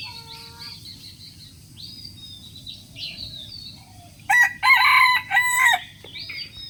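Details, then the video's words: Small birds chirp and twitter high and thin before a rooster delivers a loud, broken crow of three rough, harmonic segments over about a second and a half, then the chirping resumes. "rooster crowing sound effect"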